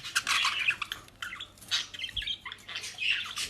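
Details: Several pet budgerigars in Den Haag, Netherlands, given dry leaves and grass from a bird shop. A steady stream of buzzy, warbled chirps and squawks carries on throughout, with brief quieter moments.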